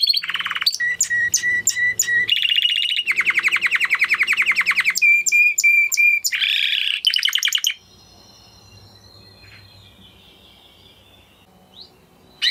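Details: Spanish Timbrado canary singing: fast metallic rolls of clipped notes, a steady repeated chip run near the start, then bright buzzy trills and a sharp rattling burst, before the song stops and near silence follows for the last five seconds.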